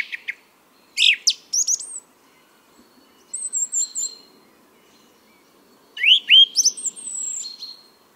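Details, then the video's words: Male song thrush singing its spring song in Bierlyovo forest park, Moscow, Russia, on 23 April 2022: short phrases of bright whistles and sharp notes, each repeated two or three times, with pauses of a second or more between phrases. "Песня ♂ Певчего Дрозда"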